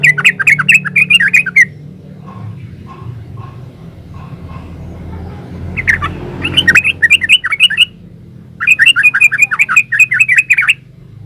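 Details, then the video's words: Yellow-vented bulbul singing in the rapid 'gacor ropel uplik' style: three bursts of fast, bubbly, chattering notes, each lasting one to two seconds, separated by pauses. A steady low hum runs underneath. "Suara burung trucukan GACOR ropel uplik"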